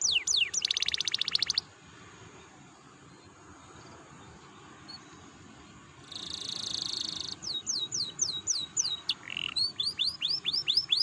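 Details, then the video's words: Canary song, played to stimulate other canaries into singing: buzzy trilled bursts at the start, a pause, then a rapid buzzing roll followed by a series of quick high downslurred notes. "PANCINGAN KENARI BIAR GACOR AMPUH MERANGSANG BUNYI"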